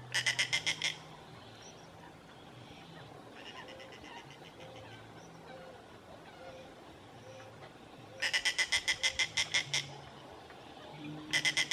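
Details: Juvenile snail kite at Lagoa do Queimado, Sítio Boa Vista, Pendências, Rio Grande do Norte, Brazil. Harsh, rapid rattling bursts of about ten clipped notes each, heard three times, with a fainter similar series between them over a low engine hum.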